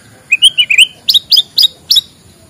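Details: Morning white-rumped shama song used to prompt reluctant shamas to sing: a few high chirpy whistles followed by four sharp, evenly spaced upslurred notes, crisp against a quiet background.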